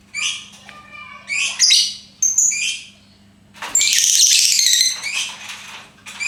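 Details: Lovebird giving bursts of harsh, high squawking chatter, short choppy notes followed by a loud, dense rasping stretch in the middle, then fading squeaks; a steady low hum underneath.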